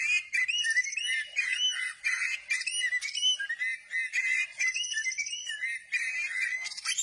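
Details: Oriental magpie-robin singing with its tail spread: a dense run of rich whistled notes, slurred phrases and rising and falling trills, nearly continuous with brief pauses.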